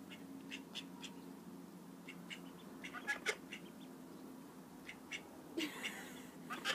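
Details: High, brief peeping from call duck ducklings, repeated irregularly with a few louder double chirps, plus a short rustling burst toward the end and a low hum underneath.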